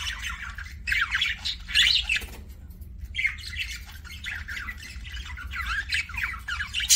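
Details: Budgie making kissing sounds as a pet: scratchy squawks and fluttering chirps in uneven bursts, a brief pause after two seconds, then softer continuous chatter, over low hum.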